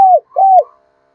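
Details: Decoy spotted dove whose voice is said to quickly provoke wild doves into cooing; two mellow hooting coo notes, the first level then dropping, the second longer and falling at its end, followed by silence.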